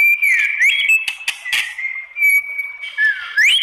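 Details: White-rumped shama song meant to provoke rival shamas into answering, made of long level whistles broken by dips and slurs, harsh clicks and rattles, ending in a quick upward-sweeping whistle.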